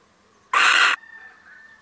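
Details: A single coarse, hissing shriek from a visiting male little owl, lasting under half a second, followed by a faint lingering tone in an otherwise quiet setting.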